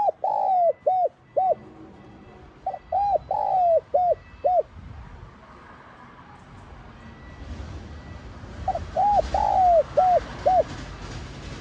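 A spotted dove coos in low, mellow phrases of several soft notes, pausing between bursts, over faint background hiss.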